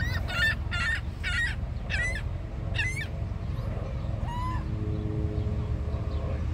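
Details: Seagull at Niagara, Canada, calling in a quick series of six harsh, harmonic yelping notes about half a second apart, then one longer drawn-out squeal, all over a steady roar of falling water.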